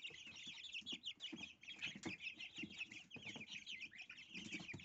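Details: Small goslings feeding on dill for breakfast, a dense unbroken chorus of high, quick peeping notes from many chicks, with low scuffling and pecking sounds beneath.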